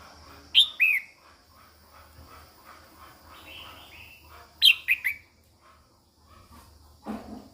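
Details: Calling female red-whiskered bulbul, sounding to stimulate males: bright descending double notes twice, separated by a softer warbling phrase, then a dull low thump at the end.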